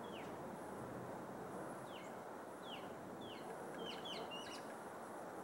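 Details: Singing mockingbird heard early in the morning at about 50 yards, perched in a neighbor's tree: clear downward-slurred whistles repeated every second or so, then a quick burst of several notes, over soft background noise.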